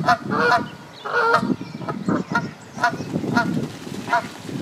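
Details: Canada goose at a pond, female laying eggs while the male keeps watch; a series of short nasal honks with harmonic stacks, about six calls in under five seconds, over low background rumble and other faint bird calls.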